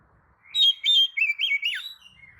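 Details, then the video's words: Oriental magpie-robin lure song: a sustained bright whistle, then a series of dipping, warbled notes that slide downward and end in a soft thin whistle, over faint low background hum. "kacer manapun jelas nyaut oleh kicau pancingan kacer buka ekor! kacer dijamin emosi"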